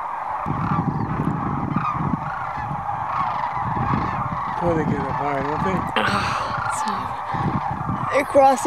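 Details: Thousands of wintering sandhill cranes in flight over Whitewater Draw, southeast Arizona, 2010, returning to roost after feeding; a steady, overlapping chorus of honking, rolling calls, with a few louder close calls near the end.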